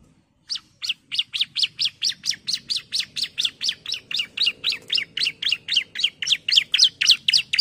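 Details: Bar-winged prinia female calling to a male, a long even series of about twenty-eight bright, high chirps delivered rapidly at roughly four per second, each note with a quick rising-falling inflection.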